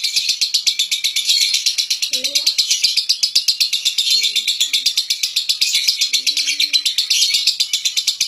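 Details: Central Javan competition lovebird, renowned at local and national events, pouring out a long, rapid, high-pitched rattling trill in steady pulses roughly four per second, with occasional soft human murmurs in the background.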